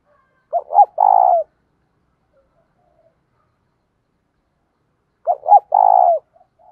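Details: Spotted dove cooing, male and female included, meant to train wild-caught doves: a two-note pickup and a long purring note, repeated once after about five seconds of silence.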